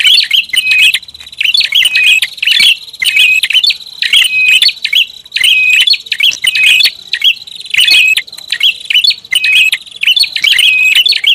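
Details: Busy, noisy prinia lure calling, near-continuous high chattering chips and short buzzy notes over a thin steady whistle, phrases recurring every second or so.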